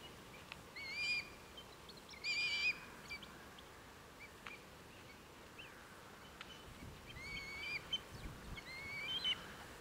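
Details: Red kites, over a hundred gathered in East Northamptonshire, England, on 23 November 2015: thin, high, whistled calls with wavering, slightly sliding pitch, four or so bursts at irregular intervals over a steady rural background hiss.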